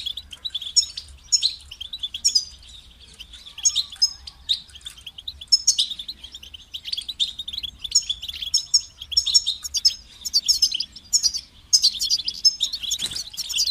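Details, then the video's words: European goldfinch kept as a singing pet, giving a long, lively high-pitched warble of tinkling twitters, buzzy trills and sharp chirps, phrases repeating with small gaps, one louder burst near the end. "Highlighting motivating songs for creative goldfinches in simple ways"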